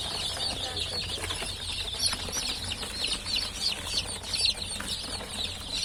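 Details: Freshly hatched chicken chicks peeping together: many shrill, short, slightly wavering cheeps layered into a constant high chatter, with a faint low background hum throughout.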